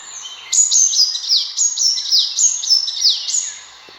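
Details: Sunbird calling, as a hunting lure: rapid run of about ten high piercing notes, each dropping steeply in pitch, about three or four per second, then fading.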